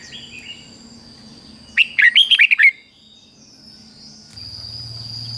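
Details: Red-whiskered bulbul singing its 'double' fig-jig-fok phrase for young birds to imitate. A single burst of about seven quick, warbling whistles lasts under a second. It is followed by quiet, then a low electrical hum.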